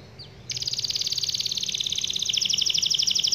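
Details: Canary song, long and rolling, used to prompt other canaries to sing: a sudden start into a fast, evenly pulsed high trill that holds steady and brightens over three seconds, with a low faint hum behind.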